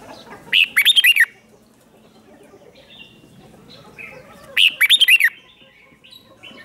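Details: Red-whiskered bulbul singing as a lure to draw wild birds in, two short rapid phrases of five or six rolling, warbled whistles about four seconds apart, with soft background chirps between.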